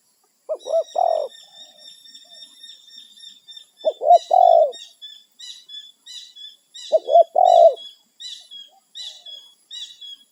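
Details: Wild spotted dove calling its companions, a territorial bird: three-part cooing phrases, two short hooked coos then a longer drawn-out one, repeated about every three seconds; faint high whistles from other small birds behind.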